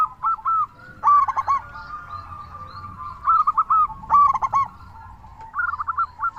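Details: Local zebra dove singing hard, meant to trigger calling in other doves: trilled cooing notes with loud, throaty rolling phrases at roughly one, four and five and a half seconds.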